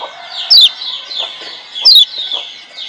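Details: Wild-caught Lemon-bellied white-eye from Lombok, used as master song to get quiet birds singing: two loud, sharp downslurred whistles about a second and a half apart over a steady bed of soft high twittering.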